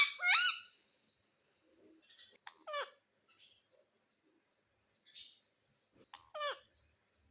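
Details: Pet Indian ringneck parrot, a talking bird said to say "mummy", gives three loud, harsh, strongly harmonic rising-and-falling calls near the start, middle and end, separated by soft clicks and short chirps.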